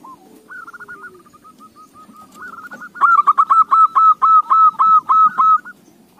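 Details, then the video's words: Zebra dove song used as a lure to set other doves singing: a soft rolling coo, then a loud run of quick, evenly repeated bubbling notes for about three seconds, over a low background murmur. "AWAS KUTUTMU JADI GACOR !! Pancingan AMPUH"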